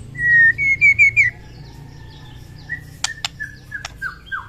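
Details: White-rumped shama singing in the morning to raise fighting spirit: loud clear whistles stepping quickly upward, then softer slurred notes and sharp clicks, over quiet background hum.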